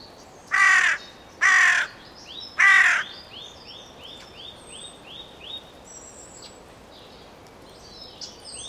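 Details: Carrion crow calling three hoarse, grating caws in quick succession, while a small bird repeats short rising whistled notes in a steady series behind it, with other faint chirps.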